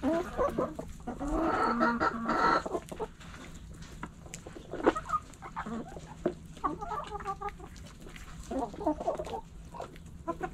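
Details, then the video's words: Backyard hens and roosters pecking and scratching give soft, scattered clucks and murmurs. A louder cluster of clucking comes early, then quieter grumbling notes return in short groups over a low background hum. "Hens Clucking Roosters Crowing!"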